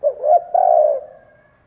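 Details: One coo phrase from a spotted dove decoy, soft opening note sliding upward, then a prolonged even coo fading gradually.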